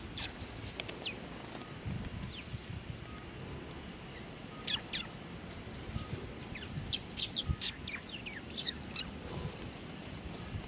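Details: Sparrows gathering for food at a Tenmangu shrine on 18 August 2020: scattered high tweets and short chirps, sparse at first, then a livelier burst of repeated chirping in the second half, over outdoor hiss.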